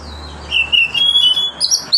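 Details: Magpie-robin ngeplong song for prompting others to sing: a thin sustained high whistle held for about a second, ending in a few higher rising notes over a low hum.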